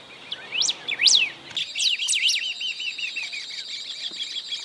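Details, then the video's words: Golden-billed saltator at Esperanza, Santa Fe, Argentina, 2020, giving loud, high, arching whistles, then a quick run of repeated descending chirps that fade away. "Cantos de pájaros Pepitero de collar"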